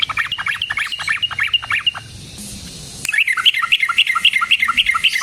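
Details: Yellow-vented bulbul song used to lure and trap other bulbuls: fast scratchy chattering bursts repeated several times per second, a brief quieter pause with background hiss midway, then brighter, rapid notes return.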